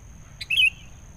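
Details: Wild sooty-headed bulbul being lured: a quick click-like note then a short bright warbled phrase, single and brief, against low steady background noise.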